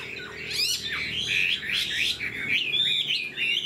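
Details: Caged Chinese hwamei, fanned tail flicking, gives a short burst of sharp upward-swept notes followed by rich warbled whistles, bright and continuous.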